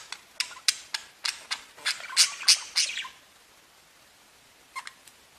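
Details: Budgerigars tweeting: a quick string of thin clicking chirps that build into louder squeaks, then fall silent apart from two faint chirps near the end.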